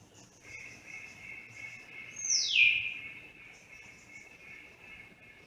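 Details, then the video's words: Grey parrot making a strange sound: a steady, thin high whistled tone holds for several seconds, broken by one loud whistle that sweeps sharply downward in the middle. "gray parrot that makes a strange sound"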